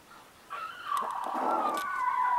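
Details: Small rooster crowing: a drawn-out, tonal, slightly wavering crow that swells in loudness and holds to the end, with a few faint clicks.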